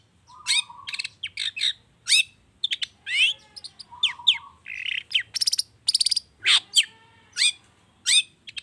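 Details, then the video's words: Long-tailed shrike, or cendet, delivering a rich prompting song: mixed whistles, harsh raspy bursts, rapid buzzy trills and sharp downslurred notes, varied and continuous, full of borrowed phrases. "Pancingan cendet emosi, full isian mewah‼️ bikin burung anda cepat gacor‼️"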